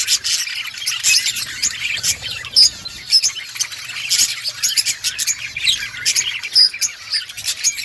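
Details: Budgerigars chirping in an outdoor colony, clear high chirps and squeaky warbles in uneven bursts, a few sharp piping notes standing out, constant flock chatter behind.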